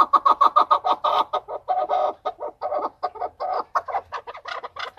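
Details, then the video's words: Keklik, the chukar partridge, in Tajikistan in 2020: a rapid, steady run of throaty clucking notes at about three per second, repeated without a break and rising slightly in pitch toward the close. "Садои Наркабки Маст 2020. Голос Куропатка (Кеклик) в Таджикистане 2020.Keklik in Tajikistan"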